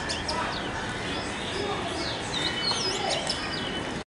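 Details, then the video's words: Oriental magpie-robin singing sweet, varied whistled notes and quick sliding chirps, high-pitched and steady for four seconds over a constant hiss of background noise. "Oriental Magpie - sweet chirp"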